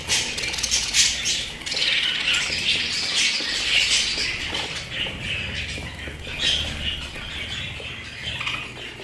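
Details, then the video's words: Pet budgerigars chatter busily for nine seconds in scratchy warbles, clicks and high chirps, rapid and uneven, with occasional louder bursts. "আমার পোষা প্রাণী বাজরিগার"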